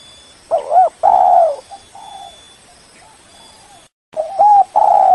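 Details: Spotted dove calling to lure a rival bird, giving short doubled coos followed by a drawn-out, slightly falling coo, two loud phrases separated by softer distant cooing and a brief gap.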